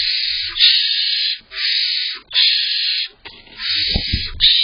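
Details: Young barn owl owlets inside a nest box, waiting for both parents to bring prey, giving long harsh hissing screeches of about a second each, one after another with short gaps, soft scuffling below.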